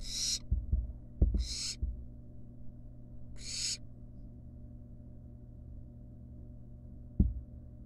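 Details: Wild barn owl fledgling in a monitored nest box, eating a rat with its long tail hanging from the beak. Three harsh, broadband hissing screeches, each about half a second long, spaced over four seconds, with low thumps and a steady hum beneath.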